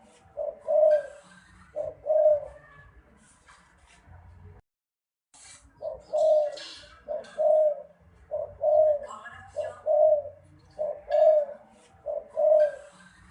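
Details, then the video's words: Spotted dove giving low, mellow two-note coos, each a brief lead note followed by a drawn-out coo. Two phrases come, then a pause of about three seconds, then six more phrases in an even, rhythmic series. "Tiếng chim cu gái"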